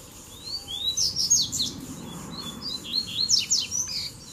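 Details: Dueling male Double-collared seedeaters, three of which arrived together. Rising whistled notes lead into quick, sharp high chirps and downward slurs, with a continuous soft background hiss.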